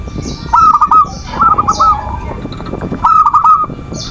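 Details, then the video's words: Zebra dove manggung lure song for provoking rival birds: three short rolling coo phrases, each a fast run of looping notes, spaced by quieter gaps with soft background noise. "Suara perkutut pancingan birahi dan emosi,the sound of turtle doves to lure passion and emotion"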